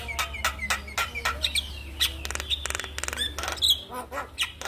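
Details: Black-winged starling singing in the morning to get a quiet bird going: sharp chips about four per second, then rattling buzzy bursts and squeaky whistled notes, over a constant low hum.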